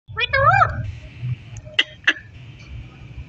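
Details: Pet parrot talking: a short burst of wavering, meow-like harmonic notes in the first half-second, followed by a couple of sharp clicks over a faint low hum.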